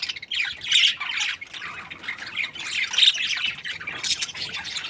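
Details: Budgerigars of a happy breeding pair warbling softly with scratchy high chirps and occasional brighter whistled notes, fairly steady and unbroken.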